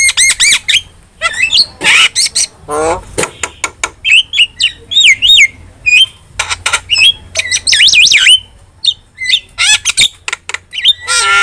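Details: Kept-starling training song from Indonesia, a varied jumble of harsh squawks, clicking bursts, wavering whistles and twisting loops delivered in quick irregular phrases with short pauses.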